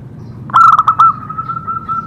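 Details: Zebra dove song used as a training recording to stimulate other doves to sing: a short burst of rapid, pulsed cooing notes, followed by a steady, even tone that carries on to the end.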